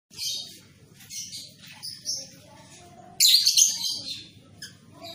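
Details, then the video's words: A young (paud) lovebird chatters in rapid, high, scratchy bursts, about four a second, breaking into a louder trilled flurry midway, over a low hum; used as training audio to make young lovebirds sing and trill. "TERAPI LOVEBIRD PAUD | CEPAT GACOR"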